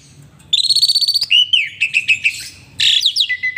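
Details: Energetic Asian pied starling song performed with head-bobbing display: a pulsing whistled trill, then a string of short clipped whistles and chattering notes, ending in a harsh burst and a thin downslurred whistle.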